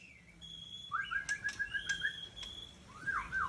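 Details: White-rumped shama, seven years old, from Tangse in Aceh: quiet, clear whistled phrases with short rapid trills and sharp clicks between them.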